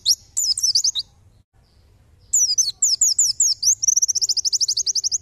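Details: A white-eye sings a tutor recording of high, thin bursts of rapid twittering notes. After a short pause it ends in a fast, even trill of about twenty notes. No other sounds.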